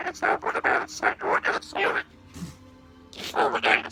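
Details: A male corella talks and coughs: rapid, speech-like bursts, about five syllables in two seconds, then a pause and a harsher, raspy burst like a cough.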